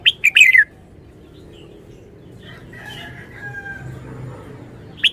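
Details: Red-whiskered bulbul in a cage opens with a loud, rapid, descending whistled phrase in the wild-song (phleng pa) style. Faint chatter follows, then a single sharp note at the end.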